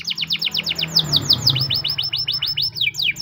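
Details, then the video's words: Canary training song in the morning: steady run of rapid descending whistles, then slower upward swoops, repeated about five times a second over a low hum. "the best canary training song in the morning!! champion canary master"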